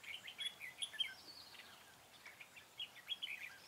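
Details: Red-whiskered bulbul used as a decoy during bird trapping on 4 February 2017: bright whistled and chirping phrases, high and bouncy, come in quick bursts with short pauses, over a quiet background hiss.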